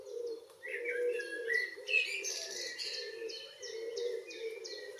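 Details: June evening in Northwest Zealand, Denmark: a common blackbird's short mellow whistled phrases, then a brighter burst, while another bird repeats high falling notes and a low cooing hum continues.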